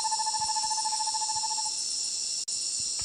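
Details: Roraima Screech-Owl (Megascops roraimae) in the Amazon of northern Brazil gives a fast, even trill on one steady mid pitch for under two seconds, over a constant high buzz of night insects.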